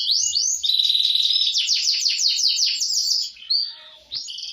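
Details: Canary singing in vigorous gacor style: a high whistled opening leads into a fast rolling trill of rapidly repeated notes, then brief sharp chips and a final whistle.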